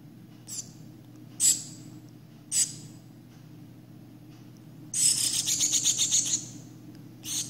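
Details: Hand-raised shiny cowbird chick, infested with 27 Philornis fly larvae, gives three separate sharp high chirps, then a rapid stuttering burst of thin piercing notes lasting over a second, over a low steady indoor hum.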